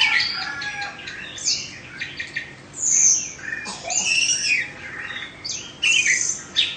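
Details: Caged Oriental magpie-robin of Indonesian stock, a bird in its second season, sings loud varied phrases of whistled and harsh notes mostly high-pitched, separated by brief pauses, with bright upslurred and downslurred whistles.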